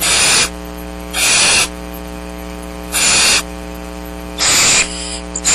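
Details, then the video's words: Barn owl owlets, seven downy young in a nest box at Starr Ranch, March 6th 2010, waiting for food while rain hampers the adults' hunting: harsh hissing screeches in bursts about half a second long over steady electrical hum. "STARR RANCH BARN OWLS - PATIENTLY WAITING FOR FOOD"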